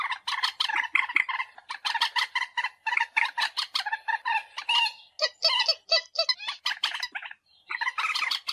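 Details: Common moorhen calls used to lure birds for hunting: a dense, continuous chatter of rapid, harsh, nasal notes repeated several times per second, slightly higher and more clipped toward the end.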